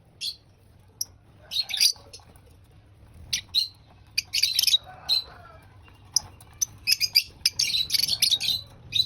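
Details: Lovebird eating breakfast: scattered sharp, high, scratchy chirps, with denser squawky chatter around the middle and a lively burst of rapid chirping near the end.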